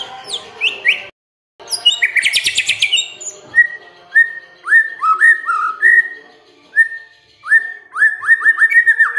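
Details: Lure song of a white-rumped shama meant to provoke a quiet bird into singing: a dense burst of high chattering trills, then a series of rich, fluty whistles, each rising and falling.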